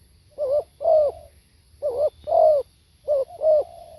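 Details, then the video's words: Spotted dove, called nok khao yai or tekukur, cooing: low, hollow coos in three paired phrases about every 1.3 seconds, the second note of each pair longer and gently falling, over a quiet background. "เสียงนกเขาใหญ่ สด | suara tekukur"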